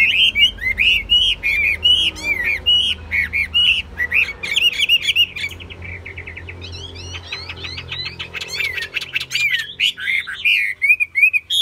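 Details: Caged Chinese hwamei kept for singing and fighting, pouring out loud, varied whistled phrases with rapid slurred up-and-down notes. A short pause near the middle gives way to fast repeated chips, then the rich whistles return. Faint low hum underneath.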